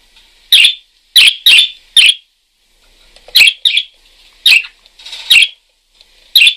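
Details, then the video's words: Parakeet chirping in bursts: a quick run of four scratchy chirps, a pause, then scattered harsh chirps. "Suara Kicau Burung PARKIT GACOR"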